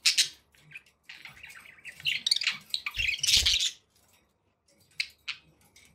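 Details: Chattering budgerigar sounds indoors, rasping, dense warbles with some louder squeaky bursts, followed by scattered short chirps and low thumping noises.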